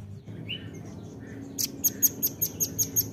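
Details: Nuthatch calls used as a lure sound: after a quiet start, a rapid run of sharp, high chips repeats about five times per second, over a steady low hum and faint background birds.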